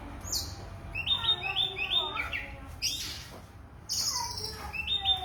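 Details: Oriental magpie-robin (kacer) singing energetically: sharp rising and falling whistles, rapid chirps and a couple of harsh noisy bursts mid-phrase, loud and close.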